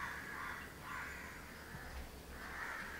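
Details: House crows grooming as a pair in Candolim, Goa, December 2010; a few muffled, drawn-out hoarse caws over steady background hum.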